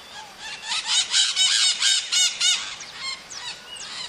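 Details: Maritaca parrot (Pionus) calling loudly with a steady series of harsh, grating squawks, about four per second, then trailing off into lighter rising notes.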